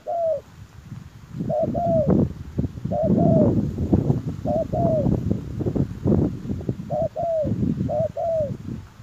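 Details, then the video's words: Spotted dove used as a lure to attract wild doves, giving low, mellow coos in paired, down-slurred notes, repeated in phrases every second or so over steady low rustling and rumbling noise. "Chim cu gáy chiêu kích mồi tập bổi nhanh nổi hiệu quả"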